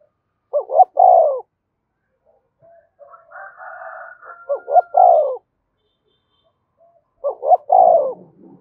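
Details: Spotted dove call used to stir up fighting. Three separated phrases of two clipped coos and one drawn-out, descending coo. Between them a higher, drawn-out wavering call from another bird is heard once.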